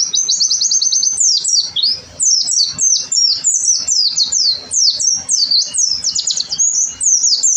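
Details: Oriental white-eye in lively, nonstop 'gacor' song used as a training tutor: rapid high chirps and twittering notes tumbling up and down in dense bursts, with only brief gaps between phrases.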